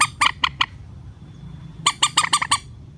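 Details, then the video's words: Rail relaxed call used as a bird-trapping lure: four evenly spaced harsh squawks, a pause, then a quicker run of about six rasping notes, over low background rumble. "PIKAT BURUNG MANDAR SUARA SANTAI"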